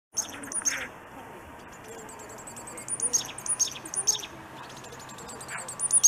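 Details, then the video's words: A Black-capped Chickadee calls aggressively while flapping, giving rapid, very high, thin chips, several each second, mixed with short buzzy notes in an agitated, frantic run. "Black-capped Chickadee Rare Frantic Bird Call"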